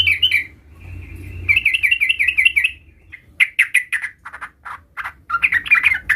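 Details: Juvenile sooty-headed bulbul learning the rolling ngerol style: brisk rolling whistled chatter, then separate sharp chirps and a final burst of tumbling notes, with a steady low hum underneath.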